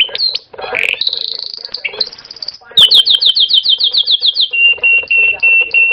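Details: Canary singing: quick high rolling trills, a sustained buzzy run, then a rapid series of bright chirped notes that settles into steady, evenly repeated high tones about twice a second.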